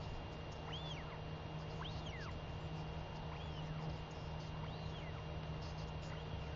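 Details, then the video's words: A talkative northern royal albatross chick begs its returned mother for a feeding, recorded 23 May 2021. About five arched whistles, each rising and dropping, come roughly every second against a constant low hum. "Royal Albatross ~ Beautiful LGL Comes Home & Gives A Good Feeding To A Very Vocal Tiaki!"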